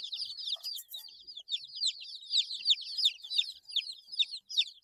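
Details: Baby chickens eight days old peeping rapidly, about three high, descending notes per second from several chicks at once, with little else audible.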